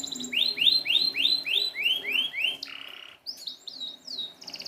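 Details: Canary song meant to train non-singing canaries: a run of about eight rising-and-falling swept whistles, a short low buzz, then quicker high slurred notes.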